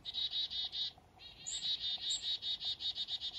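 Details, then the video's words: Black-capped chickadee on a foggy morning up north: a long, almost continuous string of harsh buzzy notes with one brief break, plus two short high thin notes over the top. "Blackcapped Chickadees & Morning Fog"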